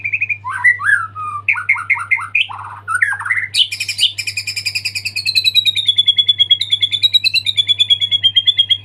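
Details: Singing actively after moulting, a white-rumped shama delivers a full fill-in song. Quick bouncing whistled phrases give way to a high buzzy burst, then a sustained rapid trill that wavers slightly in pitch. A steady low hum sits underneath.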